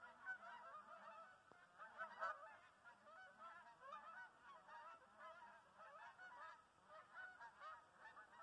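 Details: Canada geese migrating in a flock, a steady clamor of overlapping honks from many birds, with a few louder individual honks standing out above the continuous chorus.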